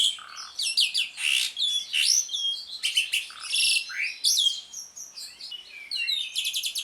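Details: Asian pied starling pouring out a dense ngriwik song meant to stimulate other starlings that have stopped singing: continuous varied whistles, harsh churrs, clicks and squeals, ending in a fast rattling trill.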